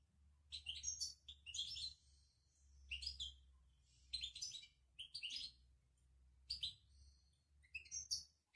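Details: Moroccan European goldfinch twittering in the 'betbta' style: bursts of bright, high, jangling chirps and buzzy trills, separated by brief pauses, over a faint low hum.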